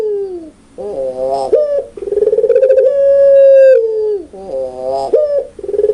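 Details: Loud, clear cooing from a puter pelung dove: long drawn, slightly rising then falling mellow tones repeated several times, richly layered and held for over a second each.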